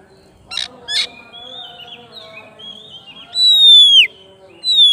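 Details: Oriental magpie-robin calling its rival: two short noisy bursts, soft level whistled notes, then a loud clear whistle sliding down at the end and another beginning.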